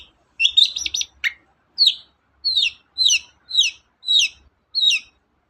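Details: Long-tailed shrike song used to provoke other birds into singing: a quick run of buzzy chattering notes, then a series of harsh downslurred calls repeated about every half second, clear and loud.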